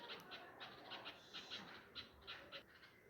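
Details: Nightingale parents calling after losing their chicks to a cat at a home nest among flowering pomegranate plants. Short, harsh chirps come in quick succession, about three per second.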